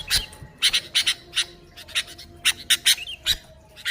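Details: Sooty-headed bulbul, recorded without added sounds and used to lure bulbuls, giving harsh, broadband squawking notes in irregular bursts with short pauses, over a faint low hum.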